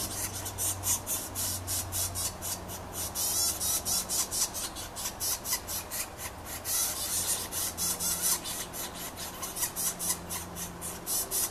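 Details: Hungry Yellow-shafted Northern Flicker nestlings begging while the male feeds them at the nest: a long run of harsh, raspy pulses, fast and irregular, with a faint low hum underneath.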